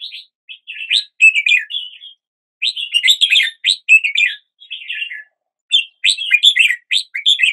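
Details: Red-whiskered bulbul singing in the morning, fast chattering warble of many short chirped and slurred notes in lively phrases, a few brief gaps between bursts.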